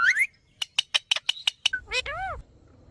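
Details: Talking Indian ringneck parakeet: a rising voice-like phrase, then seven quick, evenly spaced sharp clicks, followed by a short whistle and two arched, harmonic, word-like syllables.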